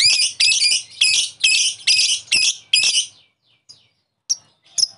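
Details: Lovebird calling to draw out another lovebird's ngekek: a series of loud, harsh chattering phrases about half a second each, followed by a few isolated sharp chirps.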